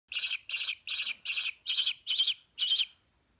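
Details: Young American kestrel, a baby bird bound for raptor rehabilitation, calling in a run of seven harsh, rasping chirps about three per second, each short and buzzy, with the last ones slightly louder and longer.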